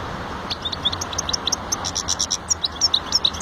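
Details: Goldfinch giving quick, repeated high chirps, about three per second, with a slightly irregular rhythm, over a soft steady hum.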